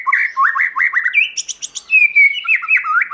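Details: White-rumped shama singing forest-voice song: quick repeated slurred notes, a buzzy stuttering burst, then a clear level whistle ending in dipping chirps.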